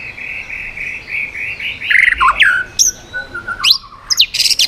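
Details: White-rumped shama changing voices in 'yến reo' song to strongly provoke other birds: a run of even whistled notes, then descending slurs, followed by sharp, very high clipped calls.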